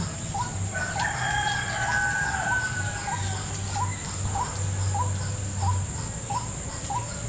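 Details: White-breasted waterhen lured toward a trap in a salak plantation: evenly spaced short upslurred notes, about two each second, set against a persistent high-pitched insect drone.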